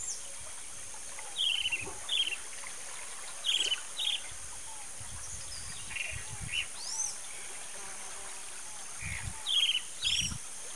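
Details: Harsh, buzzy, downward-sliding notes from a disturbed roadside hawk come in pairs and short runs with long gaps between them. High swooping whistles from another bird and a constant hiss are heard in the background.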